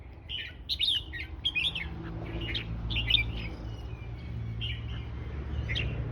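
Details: Red-whiskered bulbul, a fancy song style, singing quick bubbly chirped phrases in repeated short bursts over a low background hum.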